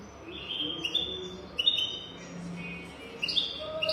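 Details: European goldfinch song of the 'golden throat' style, used to train young goldfinches: clear whistled notes in short phrases, with faint lower tones in the background.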